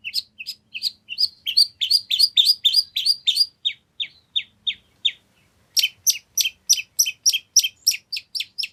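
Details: Long-tailed shrike in full song packed with nagen fill-ins, played to provoke another shrike into replying: fast, high, twittering chirps and sharp tweets in dense bursts, a brief pause, then an evenly spaced run of crisp notes.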